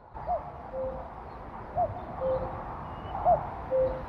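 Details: Male common cuckoo (Cuculus canorus) calling on arrival to attract females: three clear two-note 'cuck-oo' calls, the second note lower, about every one and a half seconds over a steady outdoor hiss.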